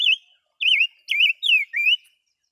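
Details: Pet bird held in a cage for two years gives a loud, sweet song of five looping whistled phrases, each about a third of a second long, delivered at a steady pace.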